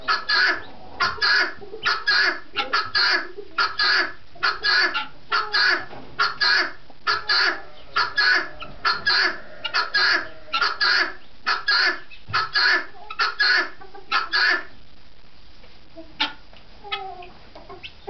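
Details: A helmeted guineafowl at East Hill Farm, New Hampshire, gives harsh, grating calls in a rapid, steady series, repeated about once a second.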